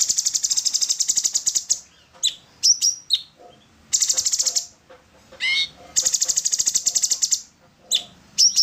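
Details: Orange-bellied leafbird song for training songbirds: long harsh rapid rattling trills lasting over a second, alternating with short sharp whistled notes and chips.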